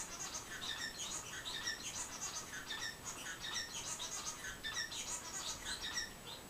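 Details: One of three new pet society finches (white-rumped munia) giving soft, high, scratchy chirps in quick irregular bursts, close to one a second, over a faint background hiss.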